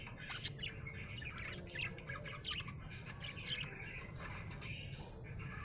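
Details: Budgerigar in a happy mood, chattering softly: a continuous stream of small scratchy chirps and wavering warbled notes under a steady low hum.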